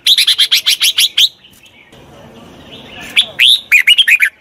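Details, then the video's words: Red-whiskered bulbul singing to coach a wild-caught bird: a rapid run of about ten sharp, bubbly notes, a short hush with low background rumble, then a looser, uneven phrase of upslurred and falling whistles. "Tiếng chào mào luyện giọng chim bổi. นกปรอดหัวโขน"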